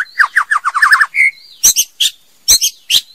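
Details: A female white-rumped shama gives a fast series of downslurred whistled notes, a short pure tone, then several harsh high squeaky notes.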